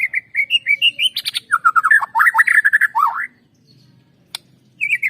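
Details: Lure recording of white-rumped shama song meant to make birds sing loudly: rising whistled notes then a dense run of rapid, warbling and chattering phrases, silence with a single sharp click, and whistles returning at the end.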